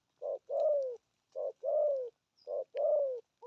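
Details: Low cooing of a spotted dove in 'thổ âm' style, 'gù thúc' type: three pairs, each a brief soft note followed by a drawn-out coo that sags in pitch, evenly spaced roughly every second.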